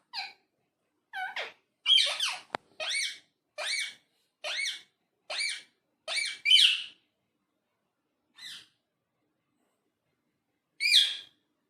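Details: Parrot producing a string of clipped, high, whistled syllables roughly every half second, then falling silent before a last bright chirp, with a single sharp click midway; otherwise a quiet indoor background.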